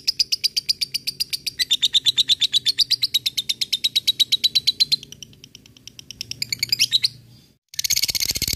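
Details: Lovebird ngekek to provoke rival birds and train fighters: a long, fast, rattling chatter lasting about seven seconds and wavering in pitch, a short pause, then a burst of harsh noisy chatter.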